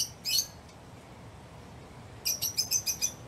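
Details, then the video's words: Lovebird uttering one harsh chirp, then after a pause a quick run of about five shrill, high tweets, with low background hum throughout. "Love birds sounds | love birds sounds that will make your bird sing"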